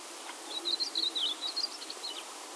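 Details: Yellow-bellied eremomela imitating other birds, among them Karoo scrub-robin and chestnut-vented warbler; a quick run of thin, high chirps and warbled notes lasting about two seconds over faint hiss.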